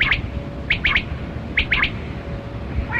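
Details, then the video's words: Kali Kirak quail (batera) from a hunting recording. Three groups of quick, sharp squawked notes, each group with two or three notes, are spaced under a second apart. A quieter pause and a low hum follow. "Sound Of Kali Kirak Quail Batera"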